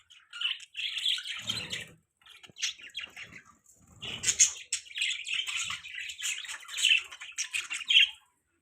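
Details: Budgie bird sounds: a quick series of sharp, high, warbling chirps and squeaky notes in irregular bursts, with a brief rustle near the start.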